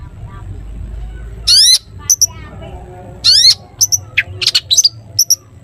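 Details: Long-tailed shrike, a singing cendet used to prompt other shrikes to sing; two loud harmonic rising-falling squawks with scattered short high chips between, over a faint low hum.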